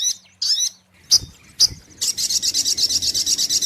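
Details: Sogok ontong, the brown-throated sunbird, on a lure recording. Short twittering phrases and two sharp chips lead into a long, even, rapid high-pitched trill.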